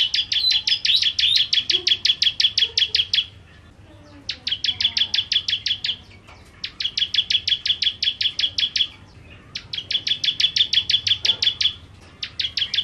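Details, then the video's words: Bar-winged prinia (ciblek kristal) in full 'nembak' song: four bursts of fast, sharp, high repeated notes, each lasting about three seconds, separated by short pauses. "Ciblek Kristal Gacor Nembak Nembak"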